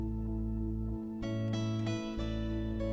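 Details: Gentle acoustic guitar music with plucked and strummed chords plays throughout, with no animal sounds.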